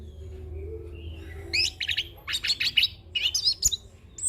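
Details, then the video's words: Rolling ngeroll song of a young orange-headed thrush, packed with fill-in phrases for training and luring. Low background hum at first, then quick clusters of high chirps and short trills, ending on a brief rising note. "Anis Kembang Ngeroll Full isian - Masteran dan Pancingan Burung Anis Kembang Muda"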